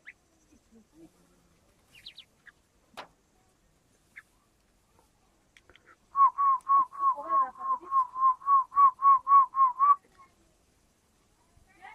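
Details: Small partridge chicks calling; a steady run of about fifteen clear whistled peeps, each slightly rising, repeated rapidly at an even pace for roughly four seconds, with faint scattered chirps before and after in a quiet setting.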